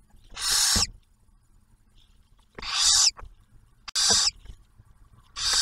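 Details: Nest camera at Ottawa National Wildlife Refuge, Ohio: barn owls as the male brings food and the female shares it with their first hatched owlet; four rasping hisses at uneven intervals, with faint rustling between.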